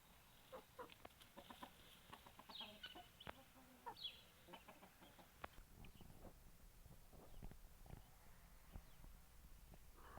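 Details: Chickens and roosters clucking: short, sharp clucks scattered irregularly through ten seconds, with a few louder, drawn-out squawking notes in the first half over a low background rumble.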